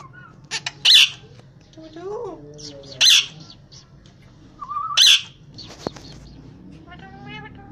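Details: Angry parrot breaking its food tub, giving three loud, harsh, rasping squawks roughly every two seconds, with softer chattering and rising tonal notes in between and a faint background hum.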